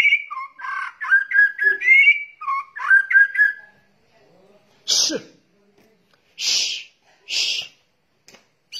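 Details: Lure recording of white-rumped shama, male and female, with kretekan calls: a quick series of looping whistled notes, then several loud harsh hissing rasps separated by short silences.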